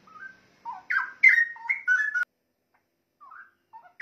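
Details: Straw-headed bulbul song for training songbirds: a burst of loud, rich, liquid warbling notes gliding up and down, about one and a half seconds long, then a pause with a few soft fragments.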